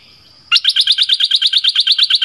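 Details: Decoy bird used to lure other birds: after a faint high tone, a loud, buzzy, harsh note repeated rapidly about seven times a second for nearly two seconds, evenly spaced and steady in pitch, against a quiet background.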